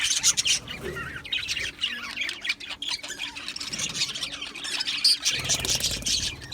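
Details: Australian budgies in an aviary colony chirping together: dense, continuous high twittering and scratchy squawks from many birds at once, with sharp squeaky peaks rising above the chatter.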